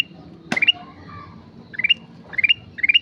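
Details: Sooty-headed bulbul singing actively: a sharp click precedes a rising note series, followed by three quick upward-stepping phrases of three to four bright notes near the end.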